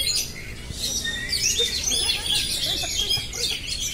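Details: Oriental magpie-robin in continuous rolling "ngerol" song, a dense run of high, sweet whistles, quick trills and sliding notes with scarcely a pause, over steady hiss.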